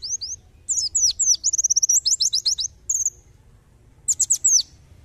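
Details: White-eye (pleci) 'tembakan' song from a masteran tutor recording for songbirds: two opening upslurs, then a rapid rattle of high chirps, a lone drawn note, and a final short burst of sharp downslurred notes.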